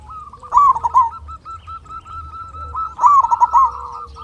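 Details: Zebra dove, a local bird used to make other doves sing in reply: two loud rolling cooed trills about two and a half seconds apart, separated by a steady soft cooing hum from other doves.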